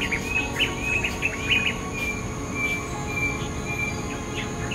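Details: Bulbul calling: a quick run of bright, short chirps and slurred whistles, then spaced, level whistled notes, heard over a steady droning hum and constant background noise.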